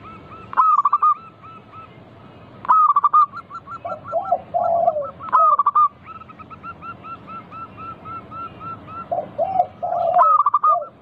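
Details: Local zebra dove song used as a lure to prompt other doves to sing. Loud bursts of fast stuttering coos recur about every two to three seconds, each trailing into a long series of softer repeated notes, with lower warbling doves behind.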